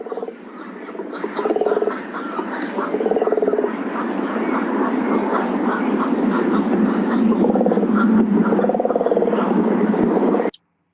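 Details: A Double-crested Cormorant at Big Bear Lake, California gives deep, guttural grunts like an oinking pig, in quick rough bursts several times a second over a steady rushing background; such grunts come at take-off, landing, mating or aggressive displays.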